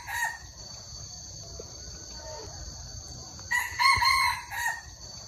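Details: Red junglefowl of the Hmong people, recorded in 2021, giving a single harsh, harmonic crow of about one second late in the clip, with steady high insect buzzing throughout and quiet rustling beforehand.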